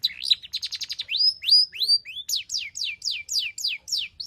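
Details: Long-tailed shrike, singing a 'full isian' lure song to make other shrikes sing. A fast stutter of clipped notes leads into a run of high, slurred whistles that each fall in pitch, about three a second.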